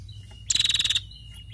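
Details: Female prinia calling actively: one harsh, buzzy burst of rapid pulses, about half a second long, with a faint steady hum underneath.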